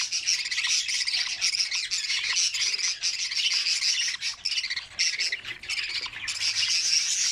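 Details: Nestling budgerigars being looked at in their nest as they feed one another, producing a steady, high, scratchy squawking chorus with small dips.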